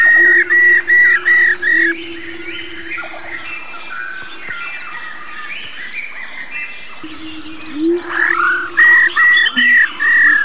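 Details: Female laughingthrush, an old wild-caught bird, giving its 'rò' call to stimulate male birds: bursts of five loud, slightly arched whistled notes at the start and end, with busy chattering of other birds and a steady low hum between.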